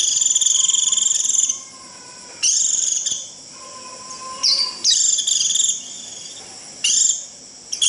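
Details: Japanese white-eye giving its shrill 'rít' call to gather the flock: piercing, buzzy high trills in bursts of one to one and a half seconds, separated by short pauses, with faint lower thin whistles between bursts.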